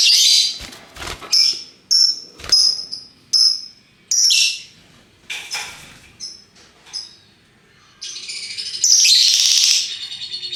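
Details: Several-coloured lovebirds, hooked-bill parrots in ngekek voice: sharp, high, clipped chirps and squeaks in quick irregular series, then a sustained harsh chattering stretch near the end.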